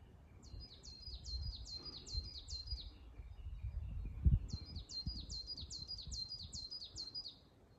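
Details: From a Norway spruce top at 1520 m in Shiga Kogen, Nagano, Japan, late May 2022, a coal tit repeats high, sharply falling two-note phrases in two bursts of about seven, with a gap between and low background rumble.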